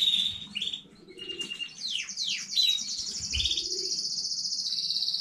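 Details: Canary of new home breeding, recorded 15 May 2019, moving from short whistled phrases through steep descending sweeps into a long, steady, high rolling trill, with soft household noise beneath.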